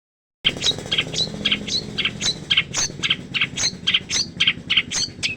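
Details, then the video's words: Long-tailed shrike (cendet) in full chattering song with harsh 'kasar' mimicked notes (masteran): short, rasping, high chirps repeated about twice per second, some with upward flicks, over a low steady hum. "burung cendet gacor full masteran kasar kasar"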